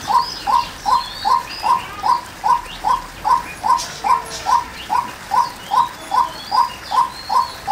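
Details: A female white-breasted waterhen gives a long, even run of clipped, mid-pitched notes, about two and a half per second. Thin whistles and chirps from other birds sound higher up.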